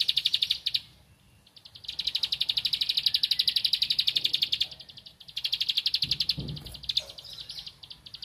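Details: Bar-winged prinia singing while looking for a rival: long bursts of quick, high, clicking notes, one lasting nearly three seconds, broken by short pauses, with a brief low thump near the end.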